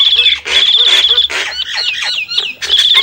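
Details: Nias hill myna giving long, pure, steady whistles alternating with warbling, looping whistled phrases and short rough notes.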